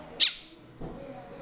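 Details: A female Red-winged Blackbird chick gives one sharp, high-pitched begging cheep, then a faint low murmur, during her first hand-feeding of egg mixture after she was found chirping alone without a parent for over an hour and a half on a bike path.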